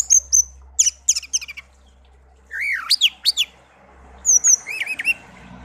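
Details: Pet songbird, raised from young and kept a year, tame, sings clear high whistles, clusters of chirps and swooping slurred notes over a steady low hum.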